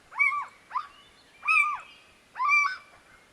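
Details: Little owl at night giving four harmonic, mewing calls, each rising then falling like a cat's meow, about one per second; the background is quiet.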